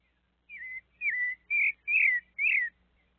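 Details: A sabiá thrush visited by a small monkey sings five strong whistled phrases, each slurred downward or wavering, delivered about twice a second over a faint hum.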